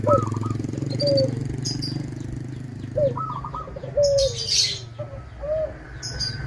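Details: Local zebra dove singing steadily with a clear voice, used as a lure to provoke rival doves into answering. Short upslurred notes and stuttering trilled bursts lead into long falling coos, repeated about every two seconds over a low hum and sharp clicks.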